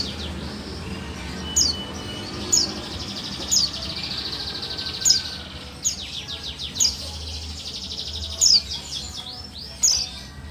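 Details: Female buxtoni white-eye giving its call to coax reluctant males into singing: a regular series of thin, high, downslurred chirps about once a second, with a brief jumble of notes near the end.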